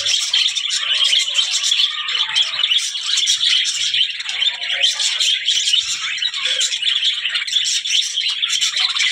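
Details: Budgerigars calling: a dense, continuous chattering of scratchy chirps and warbles, steady throughout with clicky rattling accents and no pauses.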